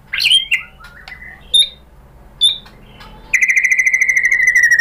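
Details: White-rumped shama song used as masteran and pancingan to train and provoke other shamas; scattered sharp whistles and chips, then a fast run of about twenty ringing notes that slowly falls in pitch.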